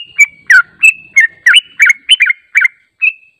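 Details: Yellow-vented bulbul song played as a lure for responding birds: a short series of clear, liquid chirps, some doubled, sliding down or up, spaced roughly every quarter second, on a quiet background.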